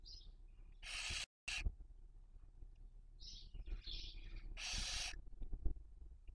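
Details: Barn owl at a webcam nest, Cabañeros National Park, Castilla-La Mancha, Spain, 2023 breeding season, raising young; two loud harsh hisses separated by softer breathy wheezes, with a short gap of silence after the first.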